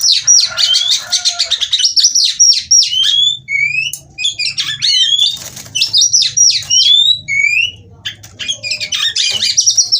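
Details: Female white-rumped shama song for singing therapy: bursts of sharp high chirps alternate with downward-slurred whistles in phrases separated by short pauses, with a faint low hum underneath.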